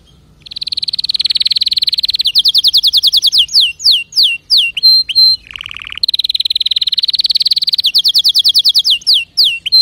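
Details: Long canary song opening with a dense rapid trill, shifting into faster repeated falling notes and brief low buzzy rolls, then returning to another sustained high trill.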